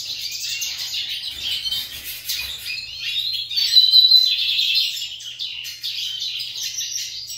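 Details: Competing lined seedeaters sing over one another in a steady stream of high chirps, twitters and brief whistles that rise and fall in loudness.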